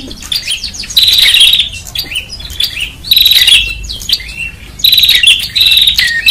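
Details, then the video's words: Excited prinia calls used for luring in Indonesia: three strident, rasping high trills, each lasting about half a second, separated by softer scattered chirps and clicks. "Prenjak Ribut"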